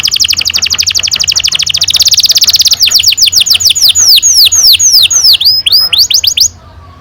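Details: Canary in full, constant singing, a long rolling song used as a lure to get young canaries singing: rapid dense rolls of high notes, then a run of loud, downward-slurred whistles repeated several times a second.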